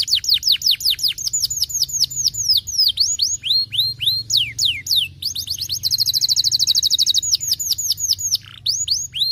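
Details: Singing canary, played to encourage reluctant canaries to sing: rapid series of high sweeping whistles, a run of lower slurred notes, then a very fast rattling trill before the sweeps resume, over a steady low hum.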